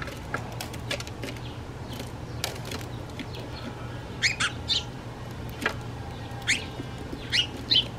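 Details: House sparrows in Toronto, Canada: short, bright chirps in loose clusters, mostly in the second half, some paired in quick succession, over a steady low mechanical hum and faint rustling.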